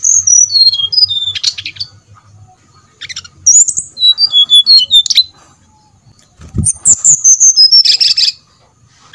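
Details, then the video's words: Brown-chested jungle flycatcher, lure song to get other birds singing: repeated bursts of fast, high, clear whistles, each run falling in pitch, separated by short pauses, with a brief low knock in the middle. "pancingan srdc biar bunyi, sikatan"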